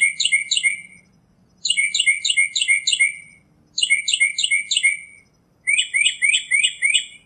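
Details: Northern mockingbird singing in nature: four bursts of bright, rapidly repeated chirping notes, five or so per burst, separated by brief pauses. The final burst switches to a different, buzzier note type. A faint low hum lies underneath.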